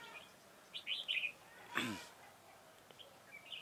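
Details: Red-whiskered bulbul kept as a trapping decoy, 4 February 2018, giving a quick trio of whistled, warbled notes, followed by a sharp loud knock or rustle and another faint note at the end.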